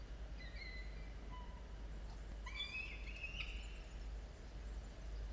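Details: Falcon calls at a nest camera holding two chicks aged 17 and 13 days, early morning, 27 October 2022: a few thin, drawn-out harmonic whistles, then a louder strained wailing note near three seconds over a steady low hum.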